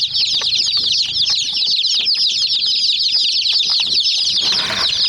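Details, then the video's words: A crowd of chicken chicks attacking a miniature toy jeep, peeping shrilly and incessantly in overlapping high notes, with a brief rustling scuffle near the end. "Murgi Chicks Chirping Sounds"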